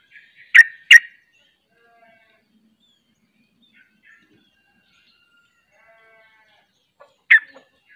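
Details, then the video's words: Ropel song of the sooty-headed bulbul, with a second bird of its kind also singing. Two quick, sharp, burry bursts close together, then near silence with faint thin notes, and a final harsh burst after about six seconds. "Ropelanya Bikin KAGET Trucuk Lain Ikut Ropel"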